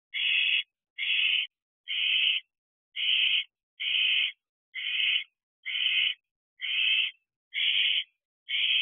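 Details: Owlet eating a mouse inside an owl box just after midnight in early July 2023: a steady series of raspy hiss-like screeches, each lasting about half a second, about ten in a row, roughly once per second, over silence.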